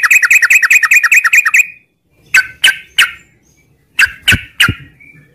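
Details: Yellow-vented bulbul, morning 'ngropel' style: a rapid, regular trill of repeated downslurred whistles, followed after a pause by a few separate sharp chirps.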